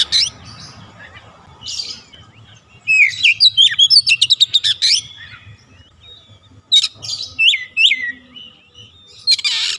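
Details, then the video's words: An oriental magpie-robin sings loud mixed phrases: a dense run of rapid scratchy, chattering notes, followed by a few pure whistled slurs and a harsh buzzy note, over a quiet low background hum. "terapi atasi Kacer malas bunyi cepat gacor"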